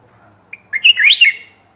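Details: Bulbul recorded 28 May 2021 as it calls for a mate. A brief opening click is followed by a rapid, gurgling run of looping whistled notes that rise and fall, then a short trailing end.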